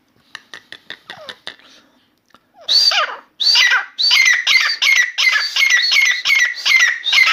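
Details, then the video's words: Indoor Grey francolin (Dakhni teetar), newly calling and singing continuously: a train of quick ticks, then loud harsh phrases that speed into a rapid, grating, rhythmic chatter, several per second. "Grey francolin Dakhni Teetar song"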